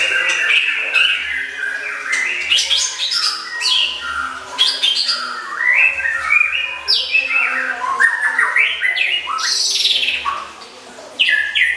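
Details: Oriental magpie-robin, caged for song competitions, performing a long, varied masteran isian song of harsh chatters, descending whistles, rapid trills and high rising sweeps, with a brief quieter gap near the end.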